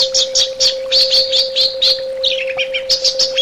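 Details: Orange-headed thrush giving a rapid string of sharp, high chirps in even pulses, then a quick descending series of twittered notes, recorded as bird therapy audio, with a faint steady hum.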